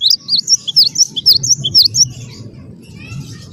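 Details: Cinereous tit (gelatik batu) in the wingko style, used as a lure to prompt other birds to sing, giving a fast series of high, thin, looping whistled notes that repeat about twice a second, then fading to faint chatter over a low rumble.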